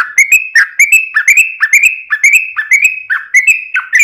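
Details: Yellow-vented bulbul (trucukan) singing as a lure for other birds: bright chirruping notes with sharp clicks, repeated about three times per second in a bubbly, even run.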